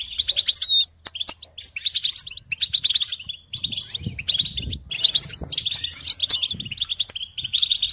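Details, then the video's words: Goldfinch singing on a recording used to encourage other songbirds: dense, fast twittering of bright chirps and buzzy trills in bursts, broken by short pauses and a few sharp clicks, with faint low rumbling beneath. "Encouragement to motivate and support goldfinches in songs"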